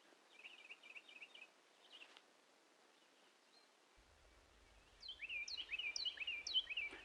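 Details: A Carolina Wren at Bamberger Ranch Preserve, Blanco County, Texas, sings loud, rolling three-note phrases repeated rapidly, like 'Germany Germany Germany', after a softer trill from another bird; faint low rumble underneath.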